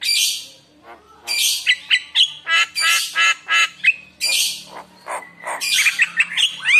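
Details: Javan myna gacor lure song with isian fill-in phrases to coax other mynas into song. Rough, broadband squawking bursts alternate with brief whistled notes and a closing cluster of rapid rising chirps.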